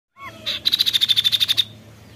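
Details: Kaso-kaso bird giving a "tembakan" burst: a short whistled lead-in, then a fast, even string of about fourteen sharp high notes in under a second, ending abruptly. Faint low hum underneath.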